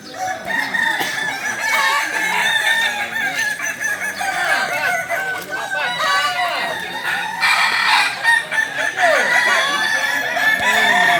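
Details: Kokok Balenggek roosters competing at a Sawah Lunto practice crowing contest final on 16 July 2023, a long continuous chorus of high, ringing, wavering crows from many birds, with scattered human voices in the background.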